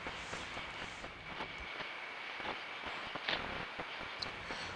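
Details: Broadband rumbling and clattering noise like a passing train or vehicle, with scattered knocks and no clear animal voice.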